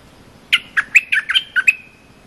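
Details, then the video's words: Short training song of a cream-vented bulbul, sung for young or silent birds to learn: a single quick phrase of about seven rich, bubbly notes that dips and rises, ending in a thin sustained whistle. "เสียงนกดอกแตงEp.173 เพลงหัดลูกเสอ/ลูกใบ้ เพลงสั้นๆน่าฟัง Suara pikat merbah lekir gacor"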